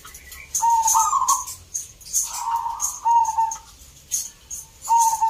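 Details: Zebra dove song at a local contest in Salatiga, Central Java; three burry, trilled coo phrases spaced about two seconds apart, with constant hissy crowd noise behind.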